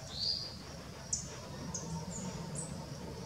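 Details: Female Violaceous Euphonia feeding in sunlight at Embu das Artes, São Paulo, Brazil: thin, high whistled notes, one longer rising note, then four or five short sharp chips over three seconds, with a low background rumble.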